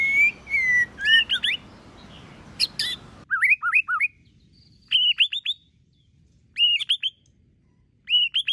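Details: White-rumped shama competition singing: slurred falling whistles, then repeated short phrases of hooked, rising-then-dropping whistled notes given in brisk bursts with quiet gaps, after a hissy start that cuts to near silence.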